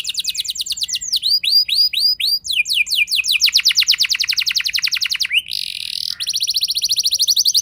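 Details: Canary ngeroll song, a rolling lure song meant to stir other canaries into singing: sweeping high whistled notes in quick series, then long fast rattling trills, a brief buzzy break and a final rapid rolling trill.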